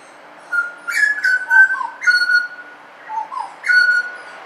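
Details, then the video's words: Butcherbird singing in suburbia: clear whistled notes held level, then short phrases slurring downward, about four phrases with brief pauses between; quiet background. "BUTCHERBIRD SOUND IN SUBURBIA suara burung jagal"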